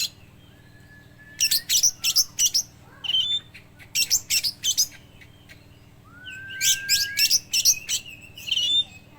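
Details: Oriental magpie-robin mimicking a lovebird in song: rapid clusters of shrill, scratchy chirps in two long bouts, each opened by a drawn-out rising whistle, over a faint constant low hum.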